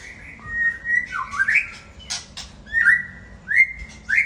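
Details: Murai Aceh white-rumped shama in 'sembur isian' form: loud whistled phrases dipping and then sweeping upward, a harsh rasping burst in the middle, and repeated upslurred whistles near the end.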